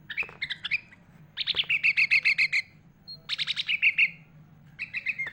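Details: Sooty-headed bulbul in full song rich with imitations of other birds, kept as a tutor recording for young birds: bursts of rapid, evenly repeated chirping notes in short runs separated by brief pauses, no other sounds.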